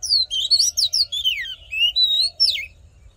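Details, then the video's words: Oriental magpie-robin in fighting song, played to fire up males and for voice training: a continuous stream of clear, sliding whistles and quick slurred notes, bright and high, ending with a downward sweep before trailing off. "Hót Đấu Kích Trống Căng Lửa || Luyện Giọng Chòe Than"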